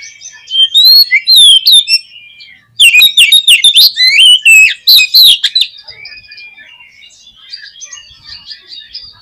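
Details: Oriental magpie-robin song played to prompt a pet bird to sing: whistled slurred phrases, then a dense volley of loud harsh chips and squeaky notes, fading into quieter distant twittering.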